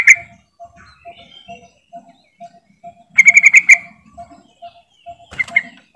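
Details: Yellow-vented bulbul giving a call meant to coax silent birds into singing: a short bright note, then a rapid bubbling run of ringing notes mid-clip and a brief final pair, with soft regular ticking behind.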